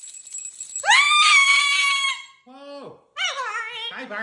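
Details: Pet cockatoo in its cage, busy with new jingly toys. A loud, raspy, harmonic screech is held for about a second. Then come shorter falling squawks and a rising, chattering vocal burst, heard indoors.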